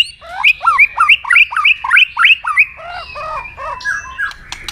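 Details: White-rumped shama in fighting song to provoke a rival: rapid series of loud, sharp rising whistled notes, about three per second, then lower slurred downward phrases and harsh notes.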